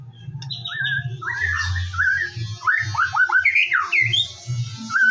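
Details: A white-rumped shama sings in the morning, recorded as a lure to coax singing: rich fluted whistles with sliding, looping phrases and quick falling notes in a rhythmic series, with a low background hum.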